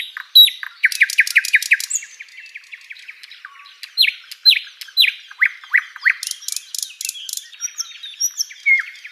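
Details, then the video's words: Tutor recording of a flycatcher called sikatan londo: a rapid run of clipped downslurred notes, then sweeping falling whistles spaced about half a second apart, and a high buzzy burst among thin chirps. "SIKATAN LONDO || MASTERAN BURUNG"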